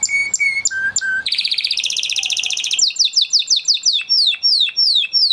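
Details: Spanish Timbrado canary, crested type from 2020 breeding in a flock, singing training song: a few flat whistled notes, a dense ringing trill, then slower repeated falling whistles, roughly three per second, all high and clear.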